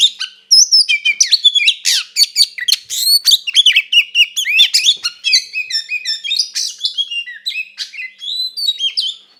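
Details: A kacer (Oriental magpie-robin) sings an aggressive fighting song meant to rile another kacer. Energetic, unbroken phrases of sharp rising and falling whistles mix with scratchy trills, starting after a short gap at half a second.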